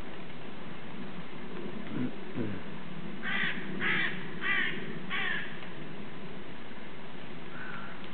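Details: A Canada goose that comes to its keeper to "tell its woes" gives four harsh, nasal honks in quick succession, about half a second apart, over a low rumbling background.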